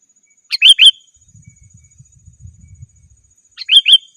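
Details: Rival-calling sooty-headed bulbul, a call for luring forest birds and tutoring home birds; a quick three-note bubbly phrase, a pause with faint low rumbling, then a second similar phrase.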